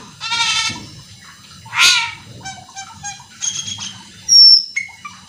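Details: Fast, fill-packed song of a cucak keling, used to provoke other cucak keling into singing: a drawn-out nasal squawk, a harsh rasp, scratchy chatter, then a thin, high, clear whistle.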